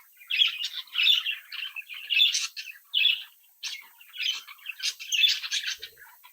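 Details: Young captive budgerigars from a home brood chirping and singing: continuous scratchy warbling in short phrases with sharp high squeaks, grouped bursts separated by brief pauses.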